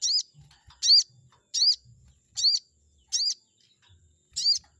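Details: Chestnut-backed scimitar babbler song used as a lure to provoke a rival bird: high, arched whistled notes given singly about every 0.7 seconds, with faint low knocks and rustles between them.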